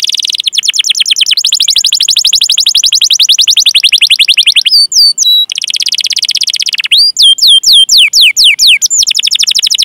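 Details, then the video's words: Canary singing long 'cuit cuit' rolling song, used as a training model for young canaries: loud fast trill of repeated high notes, a brief pause, then a slower series of curving whistled notes. "Masteran Suara Burung Kenari Gacor Panjang cuit cuit Ngerol untuk Pancingan Kenari!"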